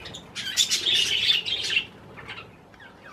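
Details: Pet budgerigars eating cherry tomatoes; a burst of rapid chattering chirps lasting over a second, then quieter scattered tweets and soft squeaks.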